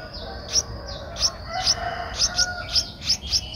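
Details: Streak-eared Bulbul nestling, 11 days old, at Ubon Ratchathani, Thailand, on 13 April 2023: short, sharp, high chirps about every third of a second, with a faint lower whistled tone in the background.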